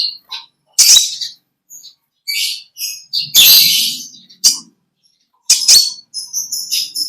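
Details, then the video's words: An olive-backed sunbird, known locally as kolibri ninja, gives its natural ngekek song: piercing high chirps, a buzzy burst, then sharp clicks and a thin whistled phrase near the end. "Original sound konin kolibri ninja suara lb ngekek panjang gacor"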